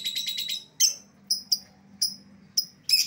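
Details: Lovebird lure call for calling back an escaped bird: a fast stutter of raspy notes, then sharp, high chirps about every half second ending in a harsh squawk.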